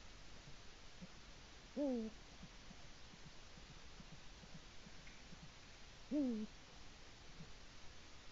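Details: A Eurasian eagle-owl, a male at his nest on a live cam in Latvia at about 6:22am on 5 March 2018, calling for his mate; two deep, short hoots about four seconds apart, each swelling then dropping, over steady hiss.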